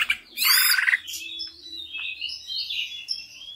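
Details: Greater green leafbird song used to spur other leafbirds into singing: one loud harsh rasping burst, then a flowing run of high, warbled whistles with faint low hum underneath.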